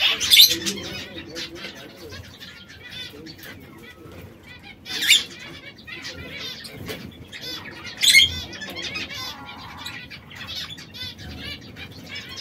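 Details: Red, yellow and brown domestic canaries, three birds that sometimes quarrel, sing steady rolling trills. Three sharp flapping or scuffle bursts stand out against the continuous chatter.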